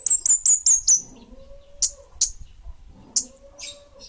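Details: Kemade Bunga Api bird: a quick run of five piercing, very high notes, then scattered single sharp chips, over a faint steady low hum.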